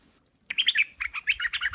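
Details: A Chinese hwamei, singing well after being fed, bursts into a rapid, varied run of rich whistled notes and short trills after a moment of silence, several bright phrases in just over a second.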